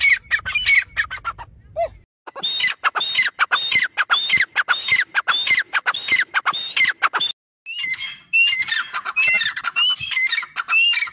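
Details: Grey francolin giving a loud, harsh, rhythmic series of scratchy squawking notes with whistled overtones, repeated rapidly and steadily, briefly breaking twice before resuming; faint low rumble at the start.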